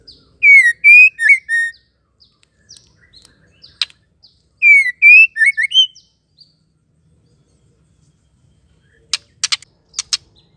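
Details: Female white-rumped shama call meant to provoke males to sing: two bright whistled phrases of several slurred notes, then a few sharp clicking ticks near the end.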